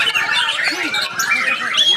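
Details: White-rumped shama in Aceh, hung on a pole among a lively crowd, sings bright chirps and short whistled phrases, partly rising, while men talk and cheer close by.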